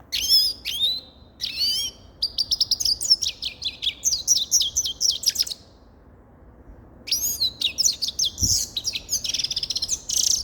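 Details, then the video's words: Grey-crowned goldfinch singing a fast, high, tinkling twitter of sharp chirps and trills in two bursts separated by a short pause, with light background hiss. "Sava Sayrashi Седоголовый Щегол Голоса Птиц"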